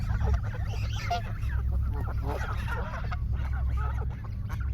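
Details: Large flock of Canada geese filmed in Canada rushing at a person and honking loudly; dense, overlapping harsh honks from many birds pour out continuously, with a low rumbling background.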